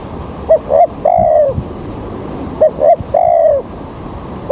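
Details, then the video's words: Spotted dove serving as a trapping lure early in the morning as rain approaches: two short rising coos then a long mellow descending coo, phrase given twice in quick succession. "Mikat Tekukur"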